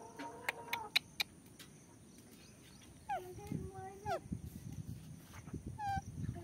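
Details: A talking pet Alexandrine parakeet says a few quick, voiced, speech-like syllables ("mithu"), then slurred rising and falling whistled phrases, over sharp clicks and a low background rumble.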